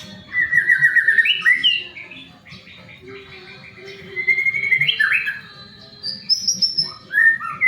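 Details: A white-rumped shama sings to spur other shamas into song. A quick rattling trill leads into varied warbled phrases, rising and falling whistles and a final high clear note with short chattering bursts.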